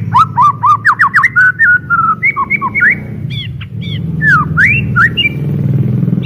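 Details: White-rumped shama singing loudly and clearly as a lure recording: rapid series of clear whistled notes and slurred rising and falling phrases, some chattery notes, over a steady low hum.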